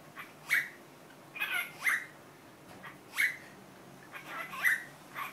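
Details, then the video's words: Pet cockatiel that learned to say hello in Korean, 'annyeong' and 'annyeonghaseyo', gives short, sharp two-part syllables around the same middle pitch, repeated in loose bursts about once a second, with a quiet room behind. "왕관앵무 안녕이란 말을 배우다 My cocatiel Dooly learned 'Hello' in Korean. 'Annyunghaseo' and 'Annyung'"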